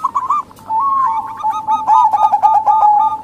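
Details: Cooing of a local female zebra dove meant to draw in males: a short coo, then continuous quick trilled notes over a sustained tone.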